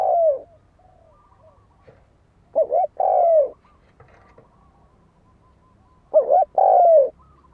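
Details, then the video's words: Fighting-lure cooing of a spotted dove: low, mellow phrases of a quick wobbling note and a drawn-out, gently descending coo, repeated every three seconds or so with near silence between. "Tiếng chim cu gáy đấu bổi dùng kích mồi cực chuẩn"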